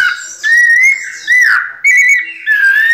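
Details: Caged white-necked thrush (sabiá-coleira) giving pianado-style song: short, pure whistled notes gliding up and down at a steady middle pitch, four phrases in quick succession with brief pauses between them.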